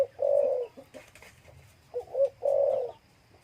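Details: Caged spotted dove, bred in captivity and from a third brood, cooing its ordinary crowing song alone with no other bird nearby. Low, hollow coos: a drawn-out coo, a pause, then a short two-part coo running into another long coo.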